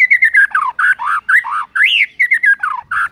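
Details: White-rumped shama morning lure song full of imitated phrases: loud rolling, warbled notes rising and falling in quick succession, about two per second, each slurred and rich.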